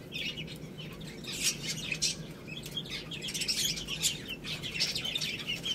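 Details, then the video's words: A group of chicks pecking at rice, producing dense high-pitched cheeps and clicking pecks, with a low background hum throughout. "Cute Little Chicks Eating Rice | Beautiful Chicks Chirping Sounds"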